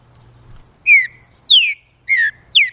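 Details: Green-winged saltator song, played to stimulate and excite other saltators. Four loud, clear whistled notes, each a downward-sliding slur, follow one another about every half second over a faint low hum.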